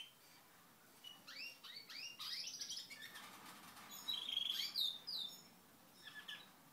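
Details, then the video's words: Canary singing: a quick run of rising, upswept whistled notes, several each second, gives way to a brighter, higher trill with sharp accents, then a short pause and a few softer notes; quiet background. "Canary singing"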